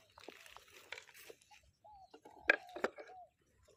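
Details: Morning decoy luring of wild doves with a Spotted dove. Clear, low, rounded coo notes slur slightly downward and come in a short run, broken by knocks, clicks and faint voices indoors.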